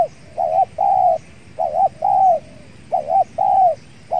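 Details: Spotted dove cooing while being trapped with a decoy, a fierce wild dove present: low double coos followed by long slurred coos in steady rhythm, with insects droning behind.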